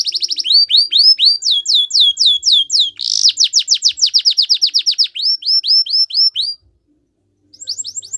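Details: Belgian canary singing: a rapid series of high, downward-sweeping whistled notes rolled together into trills, shifting speed and pitch several times before a brief pause and a new phrase, with no other sounds.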